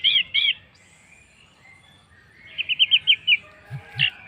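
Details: Orange-headed thrush song used as a lure to make other birds sing: short repeated whistled notes around the start, a quiet pause, then a quick series of six bright clipped notes and a final burst.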